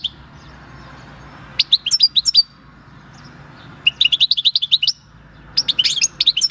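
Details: Singing European goldfinch, wild-caught at El Paso in 2018 and recorded 22 March 2020 with its own field song: a twittered phrase, a pause, then fast bright chirping runs, the last one jumbled and rising.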